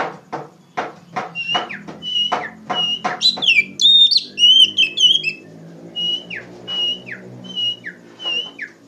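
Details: Loud Oriental magpie-robin (kacer) song in ngeplong style for training raw poci birds: sharp clicks and repeated downslurred whistles around a rich warbled burst, over a low humming background.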